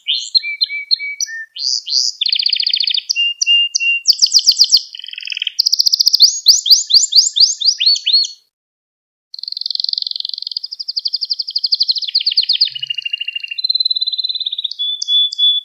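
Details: Gloster canary singing to stimulate other canaries and train young birds: a long varied song of rapid trills, buzzy rolls and whistled notes at several pitches, with one brief pause midway.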